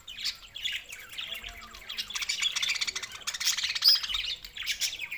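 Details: Budgerigar chatter from June 7, 2024: continuous rapid chirping and rasping warbles, with a louder burst of squawky notes in the middle and the end.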